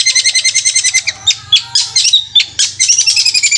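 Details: Long-tailed shrike in 'roll speed' song, described as a ghostly 'kuntilanak' voice like a sewing machine: a fast, machine-like high trill, then scattered sharp chips and squeaks, ending in another rapid stuttering trill; soft low hum.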